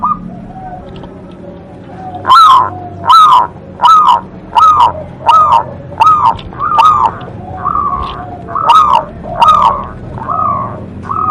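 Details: Local zebra dove, said to be a frequent, big-voiced singer, gives evenly spaced, full, low cooing notes with sharp attacks, about one every 0.7 seconds, the later notes slightly softer. A low background hum is heard.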